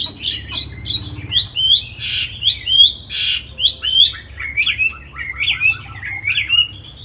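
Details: Hanoi cage-kept Chinese hwamei, a tamed songbird, gives short, sharp whistled phrases at an uneven pace, interspersed with two harsh, broad noisy bursts, over about seven seconds.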